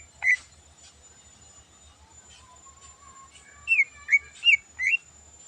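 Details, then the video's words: Greater green leafbird singing actively in the morning, a full song with mimicked phrases: faint scattered whistles, a long level whistle, then four loud clipped whistled notes near the end over a soft low pulsing hum. "Burung Cucak Ijo Full Isian Istimewa Gacor Pagi Hari"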